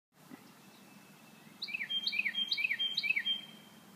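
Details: Bird singing in spring: after a quiet start, a phrase of five clear whistled notes, each sliding downward, evenly spaced about a third of a second apart, over a steady low hum.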